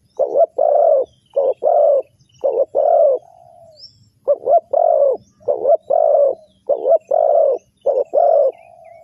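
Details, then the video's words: Spotted dove cooing, used as a lure to trap wild doves: groups of two to four hollow, throaty coos, the last note drawn out, repeated after short pauses, with faint high chirps from other birds. "Spotted Dove Trap,Terkukur Pikat"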